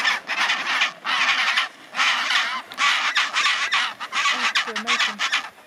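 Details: Loud chinstrap penguin braying in the Orne Harbour colony, Antarctica, January 2023: harsh, hoarse bursts of about a second each, separated by short pauses, with other penguins calling in the background.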